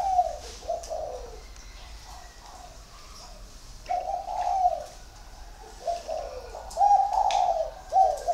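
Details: Large dove, one and a half years old, giving deep, mellow cooing phrases in four bursts, each a rolling series of low hoarse notes, separated by pauses of one to two seconds, with faint background hiss.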